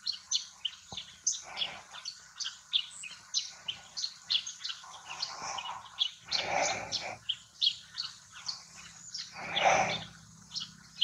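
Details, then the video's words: Yellow-throated sparrow, or chestnut-shouldered petronia, calling in Purulia, West Bengal, India, in November 2019: high, sharp chirps repeated steadily about twice a second over a hissing rural background, with a few louder noise bursts. "Yellow-throated sparrow or chestnut-shouldered petronia (Gymnoris xanthocollis) & its call."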